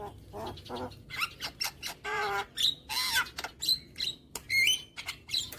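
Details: Javan myna (jalak kebo) song used as a training recording for young birds, played every morning. A rapid string of harsh, raspy squawks and clicking chatter mixed with short, sharp whistles, some rising, about a dozen bursts in under six seconds.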